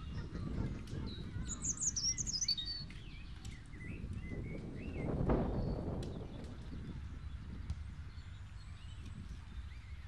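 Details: European robin (Erithacus rubecula) singing in Crystal Palace: thin, high warbled phrases with quick descending trills and scattered sweet notes, over a steady low rumble of wind or distant traffic.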